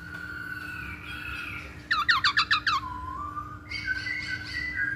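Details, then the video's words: Lure recording of a masked laughingthrush: drawn-out whistles, then a rapid burst of about six sharp, bright notes, a low falling whistle, and a quick series of higher warbled notes, over a faint hum. "Pancingan Poksay Hongkong"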